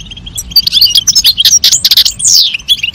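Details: European goldfinch song and calls, female answering male in a mating context; dense, fast, tinkling high twitters with loud descending slurred notes and a sweeping downward whistle near the end.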